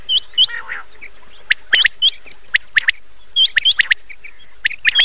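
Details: Common quail calling at night, from an old cassette recording: sharp, upward-flicking whistled notes in quick groups of two to four, repeated every second or so, with a few lower, rougher notes at the start.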